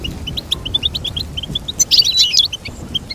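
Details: A goldfinch chirps in an even run of crisp high notes, then bursts into a bright, slurred jingling phrase before returning to single chirps.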